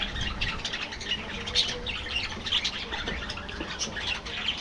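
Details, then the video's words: A group of captive budgies chatters softly and continuously, a fainter mix of short high chirps and brief whistled notes over a background hiss. "parrots,parrot,talking | budgies bird"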